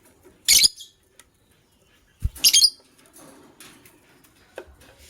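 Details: Morning chirping from a matched couple of white lovebirds: a short rasping screech, then after a pause a stuttered double burst. A soft thump and faint scratchy sounds follow.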